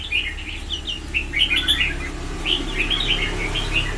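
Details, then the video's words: Red-whiskered bulbul, white-cheeked form, in Sông Kon style training: two bursts of quick, bubbly whistled notes over loud, broad background noise and a low rumble. "Ép Giọng Cho Chào Mào Má Trắng Thành Sông Kon Chuẩn 100%, นกกรงหัวจุก"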